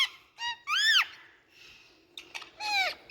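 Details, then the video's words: Rose-ringed parakeet calling: a few short, sharp, rising-then-falling screeches, harsh and strongly overtoned, separated by a quiet pause of about a second. "Indian Parrot Nature🍃 Video Relaxing Noise"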